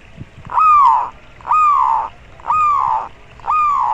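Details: Local zebra dove calling to raise breeding drive in other birds and unsettle rivals; four loud, harsh, slurred descending notes spaced about one second apart.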